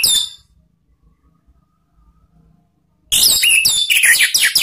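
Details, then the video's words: Singing Orange-headed thrush, ngeplong and ngeriwik lure song for cage birds: a brief high note, a quiet pause, then a dense run of sharp, shifting whistles and chirps about three notes per second. "memancing ANIS MERAH BUNYI NGEPLONG ¦ PANCINGAN KICAUAN ¦ NGERIWIK"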